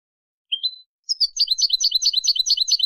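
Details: European goldfinch song, played to teach young birds: a short rising whistle, then a fast, tinkling twitter of bright, high notes repeated in quick succession.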